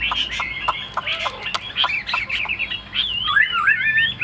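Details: Caged, tame Chinese hwamei singing a rich, varied run of loud whistled notes, slurred swoops and quick chattering phrases that shift constantly in pitch, ending in lower looping whistles, with faint background hum.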